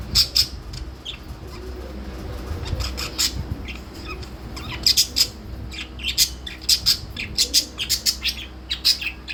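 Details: A pet blue budgerigar (parakeet) gives quick bursts of high, scratchy chirps, some in rapid doubled pairs.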